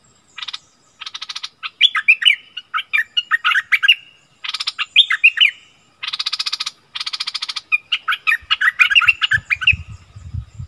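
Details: Fiercely arguing wild striated bulbuls, February 2021, trade dense buzzy rattles and rapid warbled whistles almost without a break; a low rumble rises near the end.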